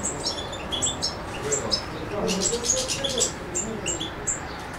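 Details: European goldfinch in Macedonia, 7 July 2011: quick high tinkling twitters and chirps in a steady stream, with murmured human voices and lower noises underneath.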